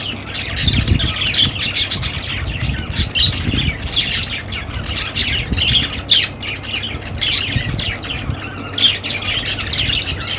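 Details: Several budgerigars calling together in a continuous flock chatter of high squeaky chirps and rasping squawks, short notes tumbling quickly over one another, with occasional low thumps in the background.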